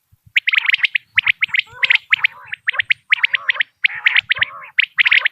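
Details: Common quail calling, a recording from Dera Ghazi Khan used for quail hunting: rapid bursts of sharp, clipped notes in groups of two to four, mixed with lower nasal, harmonic notes. Gaps are short and nothing else is heard.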